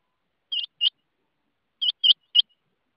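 Rain quail giving sharp, high metallic notes, first a quick pair and then a run of three, against a quiet background.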